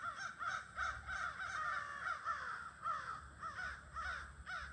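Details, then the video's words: Flock of crows gathering near evening in trees on 22 August, calling almost without pause: overlapping hoarse caws from several birds, rising and falling, in a dense noisy chorus. "Sounds of the Near-Evening Crow Gathering"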